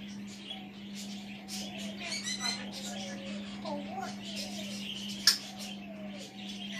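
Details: Pet African grey parrot sitting on a chair across the room, talking to himself: soft, murmured speech-like phrases with wavering tonal inflections and a brief harmonic burst midway, under a steady low electrical hum.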